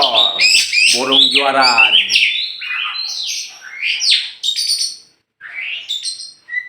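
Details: Champion oriental magpie-robin from Meulaboh, Aceh, tame and released before caging: rasping, harmonic-rich notes give way to high whistled phrases and quick slurs, then a short silence and a final whistle.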